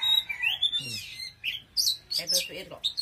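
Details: Oriental magpie-robin singing strongly: high clear whistles and rising slurs, mixed with short harsh scratchy notes and lower gliding sounds.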